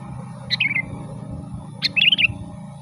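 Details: Sooty-headed bulbul song used to call wild birds: two phrases, the first a descending slurred warble, the second a quick bouncing run of liquid notes, somewhat softer against a persistent low hum.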